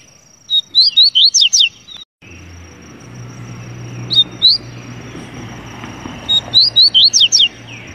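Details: Double-collared seedeater sings a rapid six-note whistled phrase. A low hum and a short two-note fragment follow, then the full phrase comes again about six seconds after the first.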